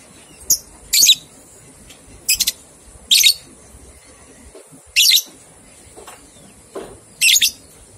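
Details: Ngekek-style lovebird chatter from a recording used to coax two-month-old young lovebirds into singing: irregular bursts of shrill, rasping notes, a few rapid triple clicks, with steady faint hiss underneath.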